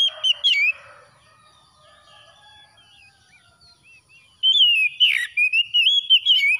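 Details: Oriental magpie-robin (kacer) song for reviving stressed birds after dawn: brief whistles, a long quiet gap with faint notes, then a lively burst of warbled, sliding whistled phrases.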